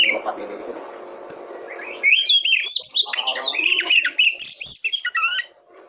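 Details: Oriental magpie-robin song played to coax untrained kacer into singing: a row of short, evenly spaced high notes, then a rich, fast, varied outpouring of slurred whistles and chattering phrases that fades out at the end.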